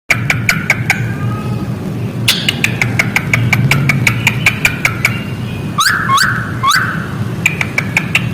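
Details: A captive Australian falk, in full vigorous song, gives a run of sharp clicking notes mixed with short whistled and rasping phrases, several a second, over steady traffic rumble; described as calling chickens.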